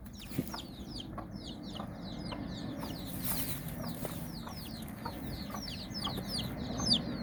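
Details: Nine domestic chicks out exploring with their mother hen in Bizkaia, Basque Country; rapid, thin descending peeps pour out in overlapping bursts, a few louder taps and bumps below, over steady outdoor hum.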